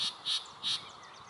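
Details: Yellow-breasted Chat singing at Springbrook Prairie, Naperville, Illinois, May 2021: harsh, raspy bursts, three quick notes about a third of a second apart, with faint higher whistles trailing after.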